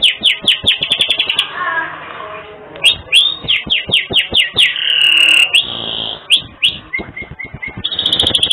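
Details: Richly phrased canary song for tutoring other birds: fast bursts of sweeping chirps separated by quieter warbles, a sustained buzzing trill in the middle, then a short series of level piping notes and a closing buzz.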